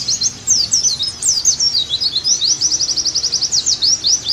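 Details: Oriental white-eye (pleci) song used as therapy and tutoring to bring a kept bird back into full song: high, rapid twittering warbles, then a fast run of repeated short notes and sweeping slurs, continuous and bright, with no other sounds.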